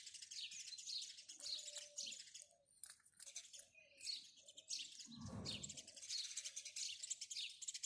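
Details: Steady run of sharp, high house sparrow chirps, several birds overlapping. A faint low hum runs beneath, and a brief low thud comes near the end.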